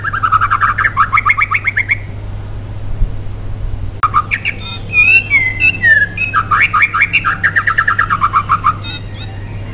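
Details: White-rumped shama in full song as a lure for other shamas: quick repeated two-tone notes, a brief silence, then sliding whistles and a long run of rapid chattering notes over a faint steady hum.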